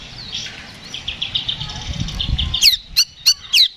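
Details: Provoking fight song of a kacer (Oriental magpie-robin). A fast, rattling trill over background noise, followed by four loud, sharp, falling whip notes spaced about a third of a second apart.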